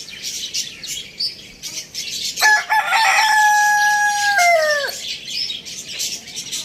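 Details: A rooster crows once, starting with sharp broken notes, then holding a long, loud, level tone that bends downward at the end. Small birds chirp busily in the background before and after.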